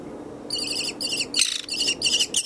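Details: Young orphaned American kestrel at a wildlife hospital, paired with an adult male foster kestrel. Five short bursts of high, shrill, harsh notes, each with a brief pause between, plus a soft rustle in the middle.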